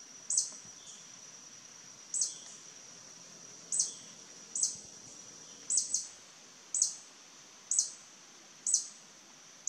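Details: A wild violet sabrewing in Costa Rica repeats high, sharp chip notes to defend its territory. Nine chips at slightly uneven intervals of about one second, one doubled, over quiet background.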